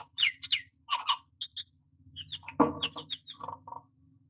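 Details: Myna calling at its nest box while nesting, 09-06-2022: varied chatter of high whistled slurs, squawky notes and a sharp crackling burst, over a low steady hum.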